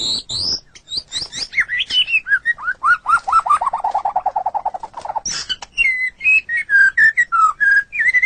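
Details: White-rumped shama song used as a tutoring recording for pet songbirds: sharp high notes, then a fast run of rising whistled notes, and finally clear whistles repeated at a steady pace.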